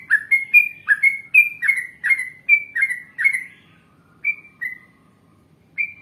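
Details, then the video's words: Lively yellow-vented bulbul song, a long rolling phrase sung as a lure for other bulbuls to reply. A rapid chain of bright, bubbly whistles runs for three and a half seconds, then tapers into three spaced single notes. "Masteran Trucukan Gacor Ngalas Panjang Ropel Panjang ❗Ampuh Untuk Pancingan Trucuk Agar Bunyi Nyaut"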